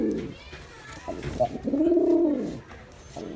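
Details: A male Girabaj pigeon in display gives one long, loud, bowed coo that rises and falls smoothly, preceded by a short softer coo and small clicks.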